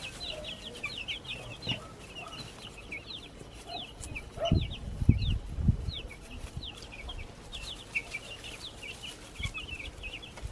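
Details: Backyard chicks give a scattered stream of thin, high peeps, sometimes in quick pairs, over soft rustling with a few louder thuds midway.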